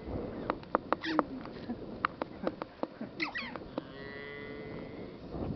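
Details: Red-billed chough at Komik Village near Kaza, Spiti Valley, Himachal Pradesh, India: two brief bursts of harsh, arching calls stand out among sharp clicking taps, with a steady droning hum entering toward the end.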